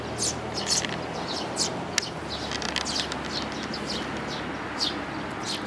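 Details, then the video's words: Eurasian tree sparrow adults and young, 13 May 2018, chirping steadily: short, high, scratchy notes scattered through the whole stretch, sometimes doubled, with a faint low rumble beneath. "可愛いすずめ達 20180513（くっつき君と雛達）"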